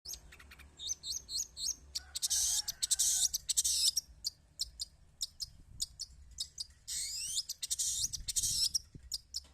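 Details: Long-tailed shrike, locally called pentet or cendet, singing busily: quick high chirps and short ticks mixed with long harsh, rasping broadband bursts, delivered in uneven bursts, with faint low background rumble.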